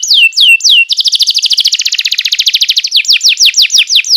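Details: Loud canary master song for young canaries: a few drooping whistles lead into a fast, even trill of many quick high notes, easing into slower downward-sweeping phrases.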